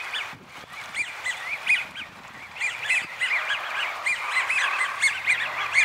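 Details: Wintering American wigeon in Donggang Township, Taiwan, recorded 30 November 2020; a flock gives rapid, overlapping arched whistles, each sliding up and back down, almost without pause, with thin high squeaks above.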